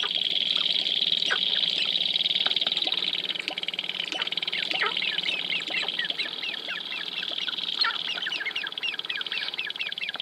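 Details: Display of dancing sharp-tailed grouse, Wainwright, Alberta, 2015. A continuous high buzzing rattle, and from midway a rapid run of short, falling chirps packed closely together.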